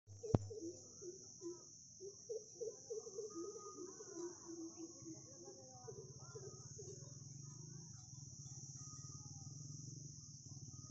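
Greater coucal giving a run of deep, hollow hoots, about two or three a second, fading out after a few seconds, over a steady high insect drone and low engine hum.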